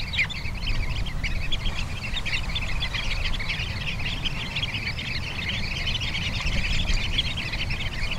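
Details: Sanderling at Bañugues beach, Asturias, Spain: dense, rapid high twitters and short chips run throughout, with a strong low roar of surf underneath.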